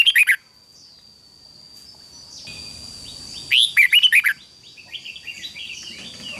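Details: A short warbling phrase from a red-whiskered bulbul doing fighting song (hót đấu), used to stimulate singing. A quiet hissing pause follows, then a louder, fast burst of rising and falling whistles, then softer twittering.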